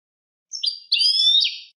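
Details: European goldfinch singing a clean song (canto limpio): a short high whistled note, then a longer bright twittering phrase with rising and falling slurred notes, over a silent background.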